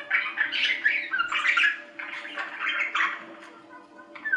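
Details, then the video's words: Budgerigar chattering in a continuous, fairly quiet run of scratchy, warbled squawks and chirps, rising and falling in rapid bursts with no clear pauses. "3 Hour Budgie Sounds for Lonely Budgies"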